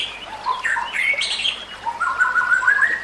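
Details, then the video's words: White-rumped shama singing on a training recording for other shamas: softer, somewhat blurred whistles and slurred notes, ending in a steady series of level whistled notes that rise slightly toward the close, against a hissy background. "Kicauan Murai Batu yang Menggoda Telinga"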